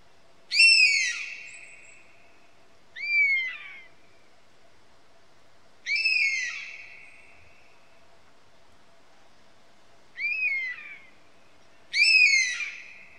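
A European honey buzzard gives five high, plaintive whistles, each falling sharply, some trailing into a drawn-out tone, spaced two to four seconds apart over a faint low hum.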